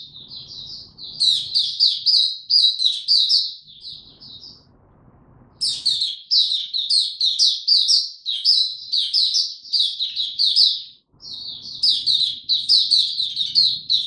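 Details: Oriental white-eye ramping up form with 'buka tiong aw' singing, 3 January 2022: long sequences of quick, high, scratchy-sweet chirps, several per second, with one pause of about a second and soft low background noise.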